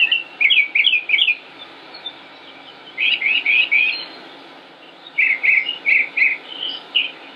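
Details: Northern mockingbird singing on 25 May 2016 in Concord, North Carolina, United States: three separate bursts, each a quick series of four or five rising slurred notes repeated in a row, divided by short pauses.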